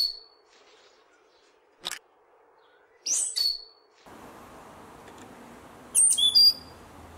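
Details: Hihi (stitchbird, Notiomystis cincta) in New Zealand, recorded in 2019, giving short, sharp, high whistled chirps in three brief bursts a few seconds apart, the last a quick twittering cluster, over a low steady hiss.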